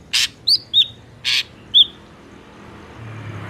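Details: Ashy drongo lure sound for trapping: harsh rasping bursts alternating with short, upward-sliding whistled notes, followed by quiet background hum.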